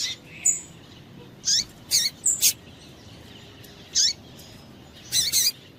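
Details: Female double-collared seedeater calling to stimulate males. Short, sharp, high chirps with a downward sweep come singly and in a close pair, with a thin high whistled note between them, over faint background hiss.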